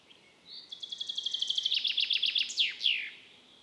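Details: Common chaffinch song, the metsavaht song heard from April into July: a rapid accelerating trill of about a dozen bright notes ending in a loud descending flourish, with faint background hiss.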